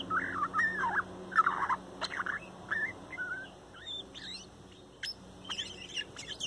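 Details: Young male bird from a 2019 nesting sings a soft, complex morning song close to the recorder: looping warbled phrases at first, then scattered sharp chirps and higher twittering notes over a faint steady hum.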